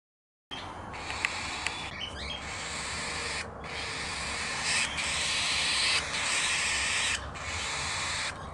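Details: Five newly hatched cockatiel chicks at Wraysbury give a steady, raspy hissing in long bursts with brief pauses, as the sun comes out after the flock's long winter.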